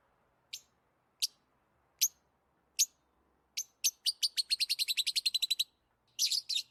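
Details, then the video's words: Lovebird gives sharp, high chirps spaced about one per second, then a fast run of a dozen rapid chirps, ending in a harsh burst. "Lovebirds Chirping Sounds"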